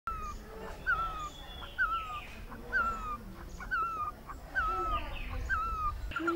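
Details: Great barbet (Himalayan barbet, Psilopogon virens) giving loud, mewing, down-slurred notes about once a second over a low rumble, with faint calls from other birds.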